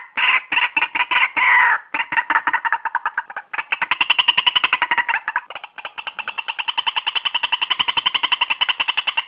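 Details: Loud, rapid, raspy chattering of a white-breasted waterhen, used for lure trapping, delivered as a fast rattling series of harsh notes that speeds up into a steady, pulsing run for several seconds.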